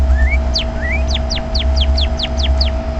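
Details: A bird chirping in a bush: two thin rising whistles, then a steady series of quick, sharply falling chirps about five per second, over a constant low hum and background noise.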